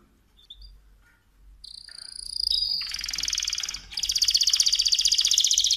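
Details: Mosaic canary beginning quietly, then a long high whistle breaks into a rapid rattling trill repeated several times a second, growing louder.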